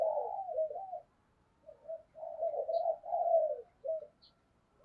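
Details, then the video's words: Caged decoy spotted dove, stimulated into quick cooing: soft, low, mellow coos in short rolling phrases with brief pauses, fairly quiet overall, plus a couple of faint high clicks. "Chim Cu Mồi, cu gay kich boi nhanh noi gù"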